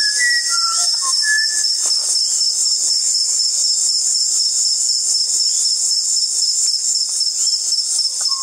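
Pure, flute-like whistles jump between notes of different pitch for about two seconds, with a few later notes, over a constant high, hissing insect chorus.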